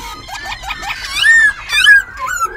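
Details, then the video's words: Caged white-browed laughingthrush from Tân Túc, Bình Chánh, Ho Chi Minh City, singing and switching voice; short run of squeaky notes rising into a clear drawn-out whistle and another slurred whistled phrase. "Khướu Bạc Má Bổi Lỡ Hót Múa Đuôi Cánh Đảo Giọng Liên Tục Siêu Đẳng Cấp. Quá Hay."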